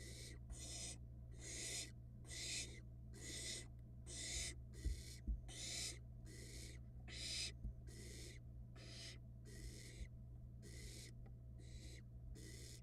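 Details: Barn owl chick, filmed by a nest camera in Florida while swallowing a rat, produces a run of rough, breathy hisses of uneven length, roughly one each second, over a low background hum and occasional thuds.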